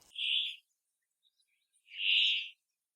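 A Brambling gives two harsh, nasal, drawn-out wheezing calls about a second and a half apart, with near silence between them.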